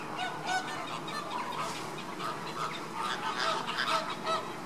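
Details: Caribbean flamingos at baseline activity give goose-like nasal honks, several overlapping in quick irregular bursts over a steady hum of background noise.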